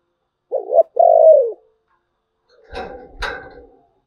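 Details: Spotted dove with a thổ bầu voice giving one low coo phrase, a short double note then a longer falling coo, followed by two dull knocking clatters.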